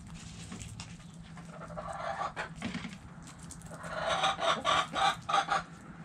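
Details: Backyard hens in a chicken coop cluck softly, then build into a run of rhythmic, repeated cackling notes toward the end, over a low hum.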